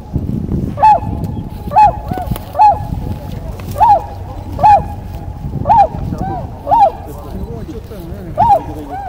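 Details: Tundra swans giving loud, bugling honks, each an arched, nasal note, about nine calls in nine seconds with uneven spacing, over a steady low rumble.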